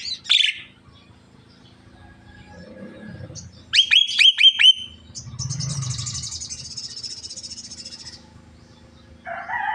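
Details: Talking Javan myna, said to be coughing as well: an opening harsh squeak, a rapid series of four or five sharp clicked notes, then a long hissing rattle and a closing rough nasal call.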